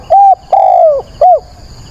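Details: Spotted dove used as a decoy, calling at daybreak on 22 October to challenge wild birds: three strong coos, a level note, a long falling one and a short curved finish, steady faint whine in the background.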